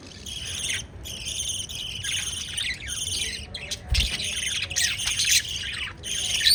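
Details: Several pet lovebirds feeding chicks chatter in a steady shrill stream of overlapping chirps, with a short gap before the first second and a soft thump near four seconds.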